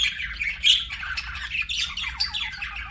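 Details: Budgerigar producing continuous soft, raspy warbling chatter with small squeaky notes and one brief louder chirp, low hum in the background.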